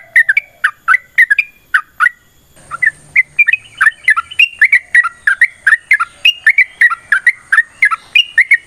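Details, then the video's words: Yellow-vented bulbul delivering long fighting song meant to draw other birds into singing: bubbly chortled notes, a short half-second gap, then the rapid liquid phrases resume and continue. "TRUCUKAN GACOR TARUNG ROPEL PANJANG Pancingan trucukan Agar Bunyi Jadikan Burung Trucuk Gacor Nyaut"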